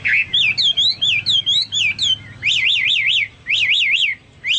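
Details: Chinese hwamei, described as sounding like cucak Papua or cucak mas, gives loud warbled phrases, then a series of rapid undulating trilled whistles rising and falling repeatedly, separated by short silences.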